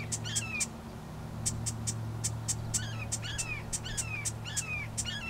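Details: Marsh wren singing on 2 April 2020 at Johnson Log Pond in Coos County, Oregon: bursts of crisp clicks, then quick downward-sliding whistled notes in a rapid, uneven series, with a constant low droning hum behind.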